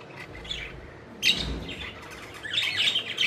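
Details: Playful pet budgies chirping while flying about: soft, quiet chatter at first, then a sudden burst of squawks and a busy, whistled warble at the close.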